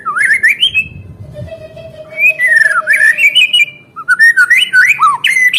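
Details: White-rumped shama song played to get caged birds singing again; loud varied whistled phrases sweep up and down with sharp buzzy notes, a short pause between bursts and a faint steady low hum.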